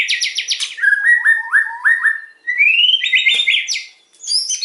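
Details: Loud white-rumped shama song: a rapid stuttered opening, a string of falling slurred whistles, then a rising whistle into a quick high trill.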